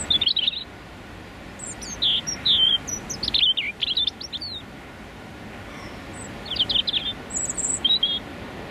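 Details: A male European robin sings his territorial song from 1–2 feet away on a freezing, windy January morning during London's rush hour: short bursts of thin, high, wavering, tumbling liquid notes separated by brief pauses over a faint steady hum.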